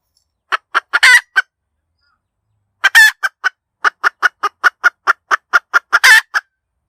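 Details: Hen cackling, recorded as a clear lure for trapping: a few clucks and a harsh drawn-out squawk, a pause, then a long steady train of sharp clucks ending in another loud rasping 'ka-daak'.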